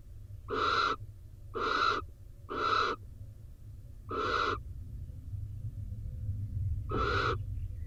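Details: Wild barn owls in a nest box in Israel during rain, with the male arriving wet to the incubating female: five rasping, breathy screeches in quick succession, then a pause before a final one, over a steady low rumble.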